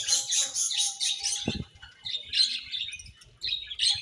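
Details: Budgies chirp in loud overlapping bursts. A steady lower tone ends in a sharp thump, then the birds resume with rapid twittering.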